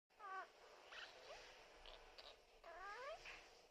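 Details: Pet lineolated parakeet talking, mixing words together so its phrase endings come out cute: several short, voice-like warbled phrases with harmonic sweeps, a longer rising burst near the end, brief pauses between, quiet indoor background.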